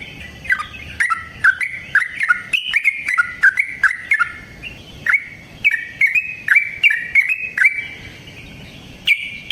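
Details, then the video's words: Trucukan (yellow-vented bulbul) singing a lively lure song meant to set other trucukan singing: short liquid whistled notes, rising and falling, in quick chattering runs with small gaps between bursts. "Trucukan GACOR ngalas ROPEL PANJANG suara alam AMPUH buat pancingan"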